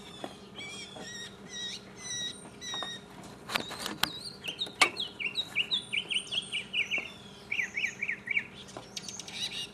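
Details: Mockingbird singing solo in 2015: a varied run of phrases, first clipped high notes, then repeated slurred whistles around mid-high pitch, a series of quick rising-falling notes near the end, with a few sharp clicks.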